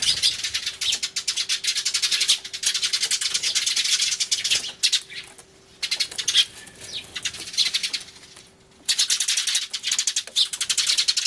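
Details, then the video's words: Many Eurasian tree sparrows crying loudly together on 24 March 2013 beside a turtledove, captured with an Everio camcorder: a wall of rapid high chirping, broken by two short lulls before the din resumes. "スズメの鳴き声（大騒ぎ！音量注意） Crying Sparrows"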